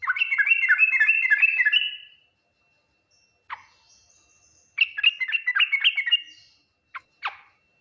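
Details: Song of a yellow-vented bulbul, full ngriwik, nguplik and tuklik-tuklik patterns said to prompt other bulbuls to respond quickly: fast bubbling, liquid note strings in two runs, followed by a few isolated sharp clicks.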